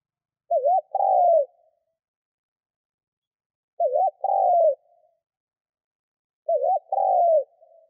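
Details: Spotted dove cooing for luring wild doves into calling: three evenly spaced phrases about three seconds apart, each a quick wavering double note followed by a longer burry note that drops in pitch, clean background.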